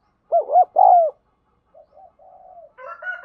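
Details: Spotted dove cooing, a recording used to train the voice of wild-caught birds and decoy birds: one loud three-part phrase of short and drawn-out hollow coos, then faint softer murmuring notes and a higher, brighter warble at the end.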